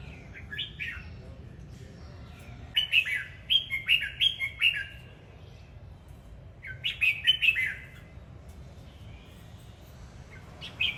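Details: A red-whiskered bulbul sings while dancing, pouring out a series of bright, rollicking phrases of liquid whistled notes, clustered in bursts with pauses of a few seconds and a final short note at the end; faint low hum behind.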